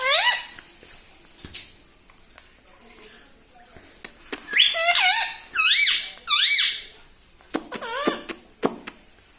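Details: Household parrot mimicking speech such as "mummy", "mithu" and "radhe radhe"; scattered clicks lead into loud, shrill, up-and-down syllables delivered in clusters.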